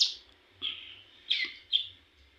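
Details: Young cigun practising song: four separate high, slurred chirps spaced irregularly about half a second apart, with a quiet low hum underneath.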